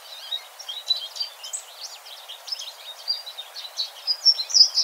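American Goldfinch singing a long, rambling run of high, varied twitters and sweet, slurred notes, with a few buzzier phrases, against a faint background hiss.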